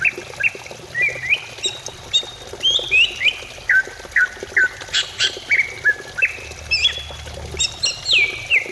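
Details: Greater green leafbird song used to spur a kept bird into song: lively run of upswept and downslurred whistles, irregularly spaced, a brief harsh burst midway, over constant low hum.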